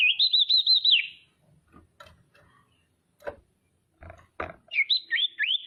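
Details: Female common iora calling to provoke rival birds into calling: a rapid trilled whistle that wavers up and down, a pause with scattered knocks and clicks, then more looping, falling trilled whistles.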